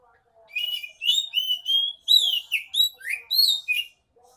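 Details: Oriental magpie-robin in full continuous song, used as a lure to get quiet magpie-robins singing: a varied run of clear whistled notes, sliding and falling phrases, some rising sharply, with brief chirps between.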